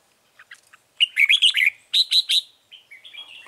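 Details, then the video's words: Lure Red-whiskered bulbul at a bird trap in Vietnam on 9 March 2020: a few soft chips lead into a loud fluid run of warbled notes, then three clear repeated whistled syllables and fading chatter. "Bẫy chào mào Bổi HB lăng xăng cực gắt"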